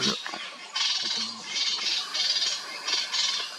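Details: Dark-fronted babbler at Koynanagar Wildlife Sanctuary, Maharashtra, India, in March 2022, giving harsh, rasping chatters in short bursts, roughly one every second, with a faint rattle in the background.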